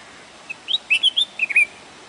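A bulbul sings a brief, bubbly phrase of about eight quick whistled notes that rise and fall at mid-high pitch, against a quiet background.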